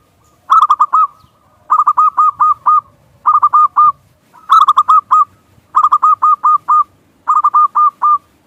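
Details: Local zebra dove coo used to lure other doves into song: six evenly spaced bursts of five or six rapid, bubbling hooked notes, roughly one burst every one and a half seconds, with a quiet background.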